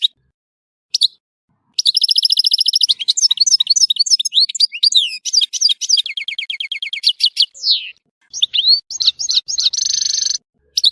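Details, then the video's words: A Tissemsilt European goldfinch sings a long, continuous stream of twittering. Fast metallic trills alternate with runs of swept, liquid notes. A brief pause comes before a final high, buzzy, sustained trill. "تغريد حسون تيسمسيلت"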